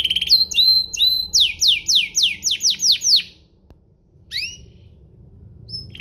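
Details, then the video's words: Canary song meant to provoke other canaries: twangy paired whistles and a run of about eight loud descending sweeps, then near silence broken by two brief falling notes. "burung kenari ini pintar pancing emosi, Pancingan kenari biar gacor"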